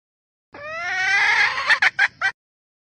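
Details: Red junglefowl hen calling to stimulate males, Vietnam: a long rising harmonic cackle swelling over about a second, then three short sharp clucks; no other sounds.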